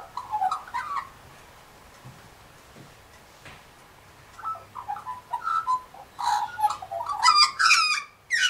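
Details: Australian magpie near galahs: a short warbled phrase, a quiet pause with faint low hum, then the warbling resumes and builds into louder, brighter, harsher notes.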